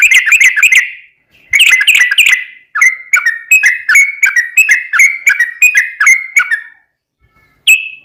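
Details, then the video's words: Energetic ropel song of a sooty-headed bulbul, played as a lure for other bulbuls: dense chattering whistles, a brief gap, then a steady series of evenly spaced clear notes, ending with one isolated whistle. "trucukan gacor ROPEL PANJANG buat pancingan trucukan agar bunyi"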